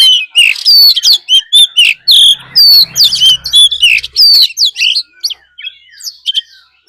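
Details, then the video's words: Fighting song of an Oriental magpie-robin lure bird with a wild female's call, played to rouse rival birds: dense, loud stream of whistled phrases and sharp chips for four seconds, with a faint low hum underneath, then scattered softer notes. "Choè than mồi hót đấu +tiếng chim mái rừng"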